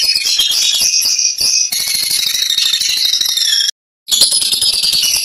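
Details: Lovebird of fighter type in full ngekek: a loud, jingling, high-pitched chattering trill, unbroken except for two short cuts where the sound drops out completely.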